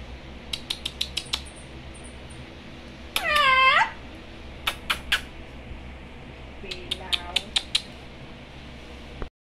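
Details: Parrot chatting with its owners indoors: a burst of sharp clicks, one loud, harsh, falling, voice-like squawk, then more clicks and a fainter similar call.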